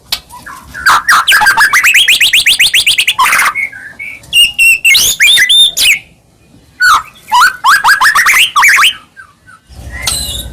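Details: White-rumped shama song meant to provoke other shamas into singing, with fast accelerating series of rising whistled notes, high sharp chips and pauses between bursts.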